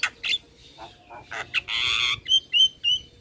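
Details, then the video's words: Javan myna (jalak kebo) singing in a tutoring recording meant to set other mynas singing: scratchy chatter and a long harsh rasp, followed by three bright whistled upslurs. "Masteran Jalak Kebo Gacor Full isian - Semua Jalak Langsung Buka Suara"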